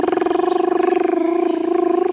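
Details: A Crested Barbet in the dawn chorus along a drainage line on a sunrise game drive, 5 October 2016, gives a long, even, rapid low purring trill for over two seconds, amid many other birds including Ring-necked Dove.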